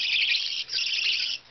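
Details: Two young English budgies, 23 and 25 days old, give harsh, high-pitched chirping chatter in two dense bursts with a brief pause between. Nothing else is clearly heard.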